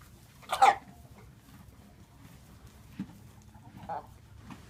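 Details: Buff Brahma hen, three years old, free-range among mixed-breed chickens, making an unusual croupy bark-like cough. One loud harsh burst is followed by two or three fainter rough sounds, over a low steady background.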